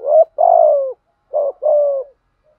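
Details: Spotted dove used as a decoy, cooing in the 'gù thúc' style to provoke wild birds: two loud phrases, each a short clipped note followed by a longer, slowly falling hollow coo.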